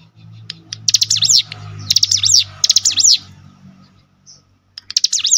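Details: Cinereous tit song used as a lure to set other cinereous tits singing: three rapid, bright phrases of zigzagging notes a second apart, a pause, then the start of another, with low background hum.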